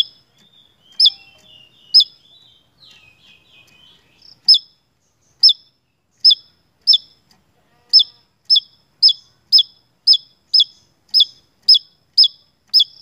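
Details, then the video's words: Javan tesia: at first spaced high chips with soft thin twittering, then a quickening run of identical sharp, down-hooked notes, about two per second. "PANCINGAN SEJALUR TESIA JAWA GACORR"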